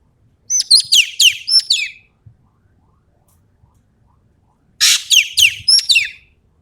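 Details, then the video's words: Energetic Sumatran common green magpie: a rapid string of five sharp, slurred, descending whistles, a pause of about three seconds, then a harsh rasp followed by four more quick falling notes. "BURUNG EKEK KELING SUMATERA GACOR FULL MATERI TEMBAKAN"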